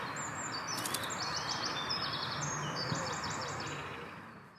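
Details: Gosling of the Egyptian goose (Alopochen aegyptiacus), Rombergpark botanical garden, Dortmund, 19 March 2019 at 10:50: thin, high peeps, a few per second in quick uneven runs, over a steady background hiss.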